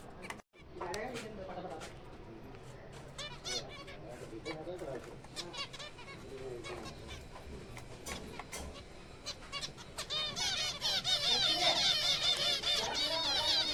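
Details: Zebra finches calling in a captive breeding colony during April. Scattered nasal calls build into a thick chorus of overlapping high, harmonic notes toward the end.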